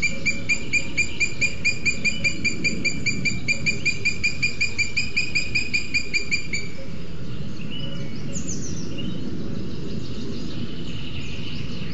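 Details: At a nest in Sierra de Guadarrama National Park, Spain, booted eagles call as the male brings a lizard to the incubating female. Rapid, evenly spaced high whistled notes run for about seven seconds, then stop, leaving steady low background hiss.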